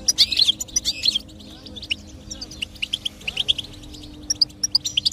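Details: Singing goldfinch, used as stimulation for a silent bird: rapid, sharp high-pitched tweets and twittering runs, separated by a short quiet gap, over a constant faint electrical hum.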